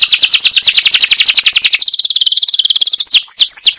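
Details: Canary singing a masteran-style song with long rolls: a rapid, high, even trill of tightly repeated notes that runs for about three seconds, then ends with three clear downward-slurred whistles.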